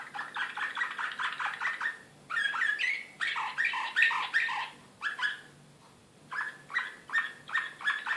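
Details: Recorded in Belgrade in 2016, an excited Serbian slavujar canary pours out rolling tours: quick repeated chirps, warbling swoops, a brief pause near six seconds, then more rhythmic downslurred notes.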